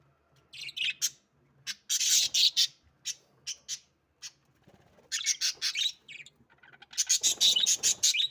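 English budgerigars give bursts of harsh, scratchy chirps and chatter in quick clusters during mating.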